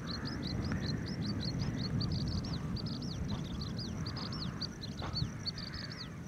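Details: Oriental skylark calling for a very long time at Kumbla-Shiriya estuary, Kasaragod, in January 2021; rapid run of thin, high, arched chirps, several each second, over a steady low rumble of wind or surf.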